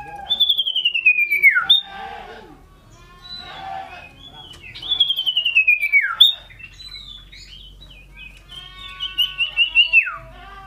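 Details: Scarlet-headed flowerpecker, an eagerly singing bird that hops about while calling loudly: clear high whistles that slide steeply downward, given in three bursts about four seconds apart, with faint low hum behind.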